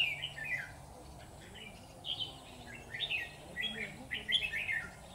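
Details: Red-whiskered bulbul at a bulbul trap, giving repeated short whistled phrases in loose bursts, growing busier toward the end, over low steady background noise.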